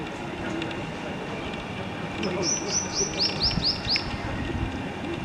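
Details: Black-eared kite juvenile learning to fly the nest: a run of about seven high, clipped, arching notes delivered rapidly midway through, with faint voices and vehicle rumble beneath.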